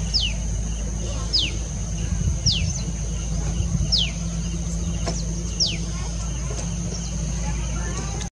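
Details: A Common Tailorbird chirps in the morning, repeating sharp, high, downslurred notes about every second and a half, over a steady low engine hum and a thin high whine.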